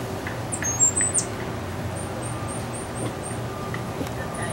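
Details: Singing Cuban grassquit, a white-footed bird: a few sharp high chips, then a run of about seven short, high, evenly spaced upslurred notes, with faint clicks and a steady low hum behind.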